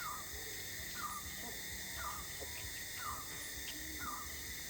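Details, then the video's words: Cebu Boobook, endemic to the Philippines (Visayas), giving five short, down-slurred hooting notes about once a second over a steady, high-pitched drone of night insects. "Cebu Boobook"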